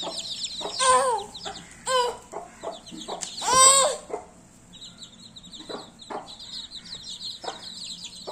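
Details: Baby chicks chirping in high thin peeps, interrupted by several louder, harsher, lower squawking calls that rise and fall, the loudest near the start and middle, then softer peeping continues.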